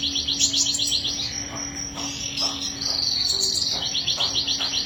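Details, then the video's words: Canary trilling rapidly in a high rolling series, shifting into a sustained buzzy trill and back to quick pulsed notes, with occasional lower chips and a constant low hum. "Kenari Gacor Ngerol Panjang"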